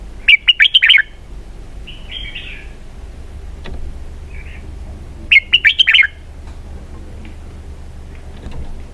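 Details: Red-whiskered bulbul in 'xoắn kép' (double-twist) song style, giving two loud clusters of rapid twisting whistles about five seconds apart, with a soft warbled phrase between and low hum beneath.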